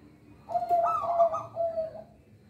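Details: Local zebra dove song for luring young birds: a single phrase with a bright, rolling higher part that drops into a smooth lower coo, then one further even note.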